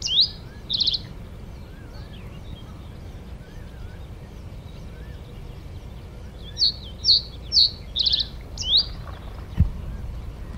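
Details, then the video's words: Reed bunting singing: short phrases of bright, high, slurred notes, one pair at the start and a run of five or six quick repeated notes later, over steady outdoor background noise and a soft thump near the end. "SONGBIRD REED BUNTING"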